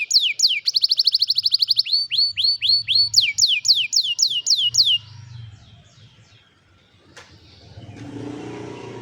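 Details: Canary singing, captured by cellphone: a fast trill and series of sweeping descending whistled notes repeated about twice a second, fading into faint rustling and low background noise.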